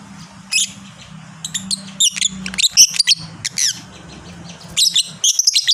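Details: Fighter lovebird in a long chatter: rapid dense series of shrill high squeaks and chirps running almost continuously, louder bursts near the end, low hum underneath.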